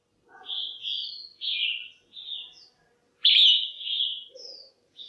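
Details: Caged female red-whiskered bulbul calling to excite males or for pairing, giving a series of clear whistled, slurred notes that dip in pitch, with one strong rising-then-falling phrase near the end and faint lower chatter.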